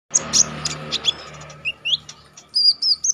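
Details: Orange-headed Thrush (konin) in energetic, wild-style song with sharp notes, recorded as training audio for songbird contests: rapid high whistles and slurred upward and downward notes, then quick trilled phrases near the end.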